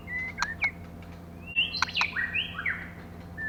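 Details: Female white-rumped shama calling to stimulate males: thin whistles and quick chirps mixed with clicks, then a busy burst of overlapping sliding notes, all against a hissy background.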